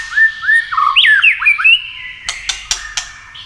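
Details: White-rumped shama in a clicking, tail-flicking contest style, used to rouse birds into competitive singing: smooth whistled slurs, some rising and some falling, then a run of four sharp dry clicks.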